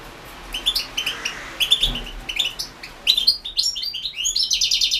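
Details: Goldfinch song entered in the 2016 world championship for European goldfinches: scattered sharp chirps build into a continuous, quickening twitter of high, sweet notes with a buzzy finish.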